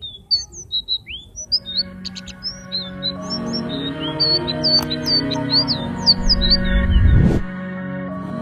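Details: A flycatcher, the blue "selendang biru" sikatan found in Java, Sumatra and Kalimantan, sings quick, varied high whistles, clear slurred notes in a brisk run, over steady background music with a whooshing sweep near the end.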